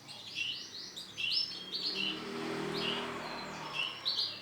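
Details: Male canary singing: scattered high, bright chirps and short whistled slurs in brief clusters, fairly faint over a constant hiss and low rumble of background noise.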